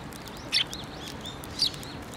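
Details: On 15 December 2023 at a Tenmangu shrine, sparrows come close for food; two brief, high chirps about a second apart stand out over soft twittering and a low hum.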